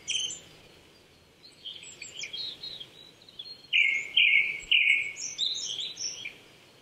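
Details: Japanese thrush song recorded in April 2019 at 800 m in a Chichibu forest, Saitama, Japan: soft twittering and other distant birds at first, then three loud, full fluty phrases in quick succession.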